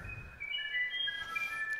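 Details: Musician wren (uirapuru) true song recorded in the wild: pure, flute-like whistled notes held and gliding between pitches in a mid-high register, with faint background hiss.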